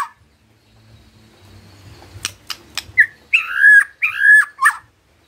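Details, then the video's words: White-rumped shama, murai batu, used as a lure to get other birds singing: after quiet clicks and a faint low hum, a few loud, rich whistled phrases with buzzy edges arrive in quick succession. "HARUSNYA PANCINGAN ITU BEGINI AGAR MURAI GAMPANG BUNYI✅✅ MURAI BATU GACOR"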